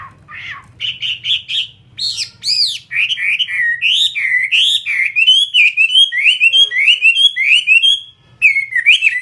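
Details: Loud, rich song from a captive fighting-type Chinese hwamei kept for sale: bursts of fast notes lead into a long string of varied whistled phrases that swoop up and down, with a brief pause near the end.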